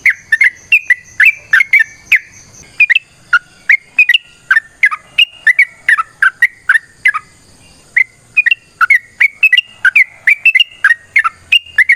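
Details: Sooty-headed bulbul singing a long, combative rolling song: a continuous chain of loud, liquid whistled notes swooping down and up, several per second, with a short pause near the middle.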